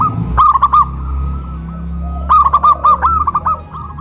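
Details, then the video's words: Local zebra doves in Kuningan, West Java, cooing loudly after their cages are raised on a pole, big voice against crystal voice; two loud overlapping phrases of stuttered coos with a steady low hum beneath. "PERKUTUT LOKAL SUARA BESAR VS SUARA KRISTAL"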